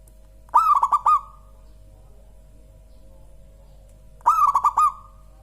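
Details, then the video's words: Local zebra dove (perkutut lokal) cooing two phrases about three and a half seconds apart, each a soft trill of quick pulsed coos ending in a drawn-out tone, with a faint steady hum throughout. "Suara Burung Perkutut Lokal paling empuk dan gurih"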